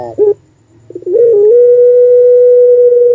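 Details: Puter pelung dove giving its long wolf-style song: brief throaty notes, then a short wavering start that settles into a steady, sustained hollow tone lasting nearly two seconds.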